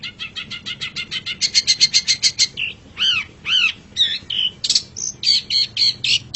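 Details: Long-tailed shrike song made as a master track for tutoring caged songbirds: a fast rattling train of clicks, then looping arched whistles and scratchy mimic-like phrases, varied and rapid.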